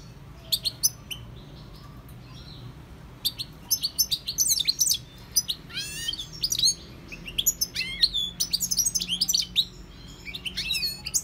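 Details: Singing goldfinch: repeated bursts of rapid, liquid twittering with tinkling chirps and downslurred buzzy notes, broken by short pauses over eleven seconds.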